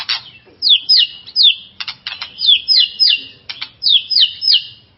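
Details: White-rumped shama song used to rouse a caged contest shama's fighting spirit: loud sharp rising whistles and chattering bursts repeated in quick succession, bright and high-pitched throughout.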